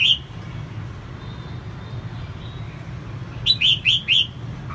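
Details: Singing female red-whiskered bulbul, used to rouse males: one lone whistled note, a pause with low hum, then a fast run of four sweet, rising-falling whistles.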